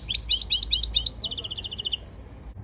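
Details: European goldfinch training song: a fast jumble of high twittered notes that flows into an even, buzzy, rattling trill before trailing off.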